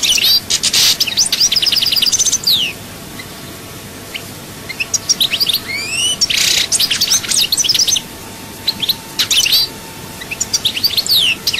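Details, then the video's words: Chaayba-style song of a European goldfinch from Souk Ahras, opening with a dense burst of high twitters and quick rising slurs, then quieter stretches before more sharp, liquid phrases. "chant chardonneret souk ahras chaayba"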